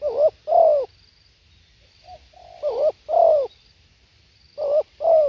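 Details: Spotted dove repeating its coo phrase three times: a short note then a longer, rich, descending coo. Soft, low notes sit between the loud pairs.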